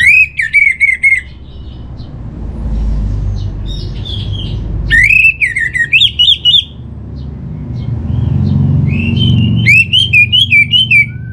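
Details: Three bursts of Orange-headed thrush song, used to prompt kept birds into singing: each a quick string of loud whistled, slurred notes separated by quieter pauses, with low rumbling noise throughout.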